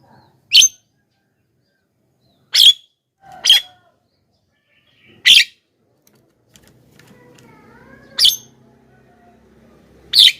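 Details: A loud-calling Javan myna, played to attract wild mynas and tutor caged ones: six short, grating bursts at uneven intervals, with soft whistled slurs and a low hum in the background.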